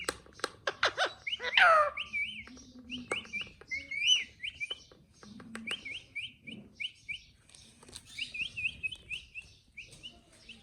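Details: Pet parrot chattering: a rapid burst of clicks and a loud descending squawk, followed by runs of short repeated chirps in groups of four to six, with quieter murmuring between.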